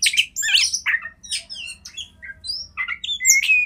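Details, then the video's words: Kacer master song for training other birds, somewhat quieter: scattered squeaky, slurred notes and short rising whistles with pauses, faint low hum underneath. "Lagu Kacer Satu Ini Sangat Bagus Buat Masteran Kacer Anda"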